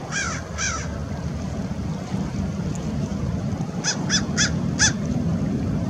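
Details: American oystercatchers at Fort Monroe, Virginia, on March 15, 2019: a pair of shrill, arching piping notes, a pause, then a fast run of four more, with constant low wind and surf behind.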